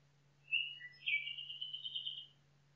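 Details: Nightingale song in a forest, a brief clear note followed by a lower chirp and then a long warbled, slightly rising whistle lasting over a second, with a constant low hum beneath.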